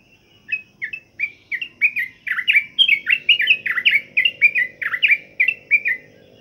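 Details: Sooty-headed bulbul during morning dewing meant to keep it singing. Soft chirps build into a faster, louder string of sharp, slurred notes, roughly three per second, with a faint low hum behind.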